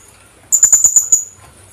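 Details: Philippine hanging parrot, known locally as kulasisi or colasisi: one quick burst of five sharp, shrill, very high notes strung together in under a second, then quiet background.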